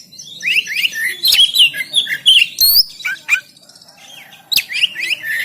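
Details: Oriental magpie-robin, Banten, recorded on an Android phone to provoke non-singing birds: busy scratchy warbling full of quick rising and falling whistles and harsh chips, pausing briefly before resuming.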